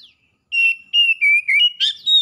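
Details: Oriental magpie-robin, wild and domestic birds responding in vigorous song: a continuous phrase of loud, pure whistles, mostly level, dipping slightly lower midway, then ending in a buzzy, rising note.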